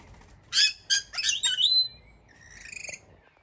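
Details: Rainbow lorikeet, one of a wild pair on a Melbourne balcony in Australia, 2024: a few loud, grating screeches with rasping overtones, followed by softer, quick chattering notes.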